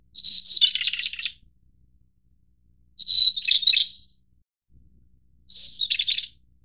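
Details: White-browed Shortwing of the Taiwan-endemic subspecies Brachypteryx montana goodfellowi, found in mid- to high-altitude mountains, gives three high, quick phrases, each opening on a clear thin note and tumbling into a jumbled twitter, a couple of seconds apart.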